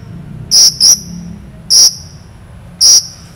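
A long-tailed shrike gives four piercing, high whistled notes, the first two close together, the others spaced about a second apart, over faint background hiss.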